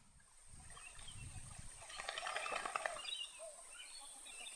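A Pacific black duck gives a quick burst of harsh, rasping quack-like notes over about a second. A steady high insect-like hiss and a low rumble sit underneath.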